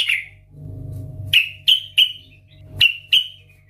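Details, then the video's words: Sooty-headed bulbul (trucukan), loud, actively singing bird used as a lure to prompt others to sing: a sharp note, then five short downslurred whistled chips at irregular spacing, with a low steady hum beneath. "Trucukan gacor Ngeplong Garuda Suara KERAS - Pancingan Trucukan agar Bunyi dan Gacor"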